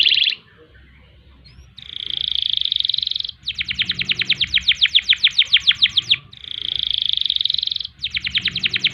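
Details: Canary singing a long song in the ngerek and ngerol styles, kept as a tutor and provoking song for other birds: sustained buzzy high notes alternate with fast rolling trills of sharp repeated pulses, loud and clear.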